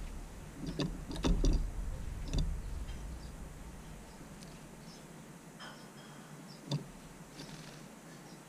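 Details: Scattered knocks and clicks, like objects being handled indoors, over low background rumble, with no animal voice.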